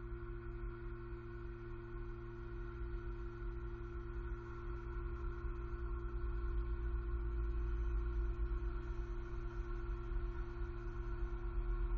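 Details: A steady low engine-like hum with sustained droning tones throughout, and no animal voices.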